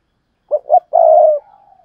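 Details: Spotted dove cooing, urging and calling coos, including the double-ending coo locally named hai hậu: two quick low notes, then a long hoarse coo trailing off softly.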